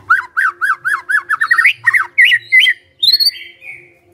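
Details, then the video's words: Magpie-robin (murai) gacor song: a steady series of looping whistled notes about four per second, speeding into a fast run, then louder slurred phrases and high thin whistles fading out. "Murai Nyaut Gacor"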